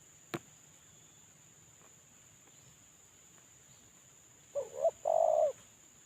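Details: Molting male spotted dove used as a lure caller: after a sharp click and quiet hiss, a single phrase of two quick coos and one drawn-out coo near the end.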